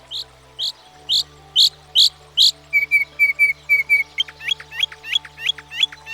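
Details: Northern Mockingbird, a species that can learn up to 200 different sounds, sings a run of sharp upslurred notes, then a string of flat whistled notes, then quick hooked chirps, each phrase repeated several times. A faint steady hum underneath.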